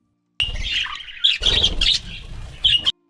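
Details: Budgerigar (Melopsittacus undulatus) chatters in a fast, scratchy warble of high chirps and squeaks for about two and a half seconds, with brief sharper peaks.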